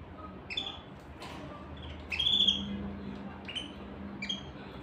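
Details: Canary singing: scattered clear whistled notes near the upper-middle range, some with a sharp upward flick, spaced irregularly through the few seconds, with a soft low background hum.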